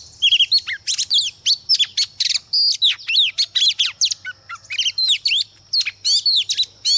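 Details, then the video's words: Female Oriental magpie-robin used to provoke males sings a long, energetic medley of whistles, rapid trills, downward slurs and scratchy notes, delivered almost without pause over a faint low hum. "CHOÈ THAN MÁI MỒI HÓT KÍCH TRỐNG ĐỈNH CAO"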